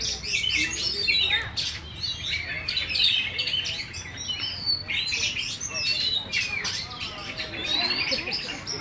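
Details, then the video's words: Contest-winning Oriental magpie-robin, caged and fanning its tail fully, sings a long intricate medley. Piercing whistles, buzzy trills and fast chatter repeat throughout, with faint voices in the background. "KACER BUKA EKOR FULL DAN JUARA"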